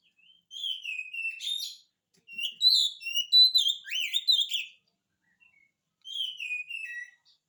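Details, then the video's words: Magpie-robin song used to make quiet birds of the species reply: short phrases of sweet whistles and rapid slurred notes, separated by brief pauses, with a falling whistled phrase near the end. "kacer gacor, cocok untuk pancingan kacer malas bunyi"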